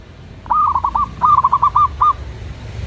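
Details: Song of a local zebra dove: two brief bursts of quick, rolling cooed notes separated by a short gap. A low background rumble runs underneath.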